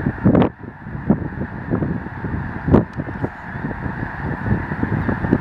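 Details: Dense flock of migrating snow geese in mid-March 2013 along the Missouri River valley near Chamberlain, South Dakota, recorded from a campground: a continuous overlapping chorus of low honking calls with louder single honks standing out.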